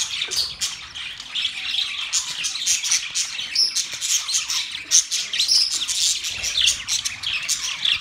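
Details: Budgerigars, Australian parrots, chirping together: a dense, continuous chatter of short high chirps and squawks overlapping without pause, with occasional brighter whistled notes standing out.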